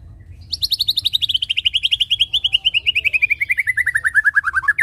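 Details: White-rumped shama song played as a lure to prompt birds to sing: a long rapid trill of repeated notes sliding steadily downward in pitch for about four seconds, ending on an upward note.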